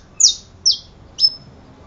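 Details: Saffron finch giving three sharp, high chirps, each sliding steeply downward, spaced about half a second apart over a quiet background.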